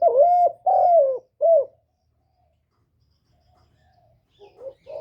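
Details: Spotted dove used as a caged decoy, calling in gáy gọi, thúc and gù styles: three strong throaty coos with dipping, bowed pitch, silence, then faint soft notes rising again at the end.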